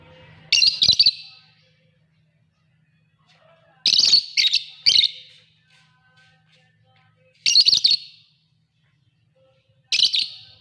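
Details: Lovebirds calling: short harsh, buzzy squawk bursts, single or doubled, repeated every few seconds, with a faint low hum in the background.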